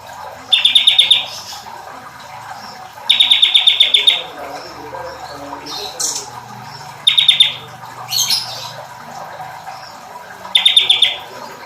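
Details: Bar-winged prinia song, including female sounds: a fast buzzy trill of rapidly repeated high notes lasting under a second, given four times about every three seconds, with faint chirps from other birds between the phrases.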